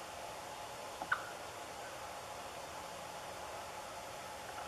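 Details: Steady soft hiss in a quiet space, broken only by a single brief click about one second in.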